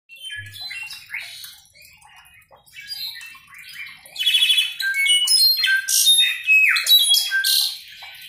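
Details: Slate-colored solitaire (Myadestes unicolor) pours out a rambling song of pure, fluty whistles mixed with metallic, squeaky notes, growing louder and richer toward the end.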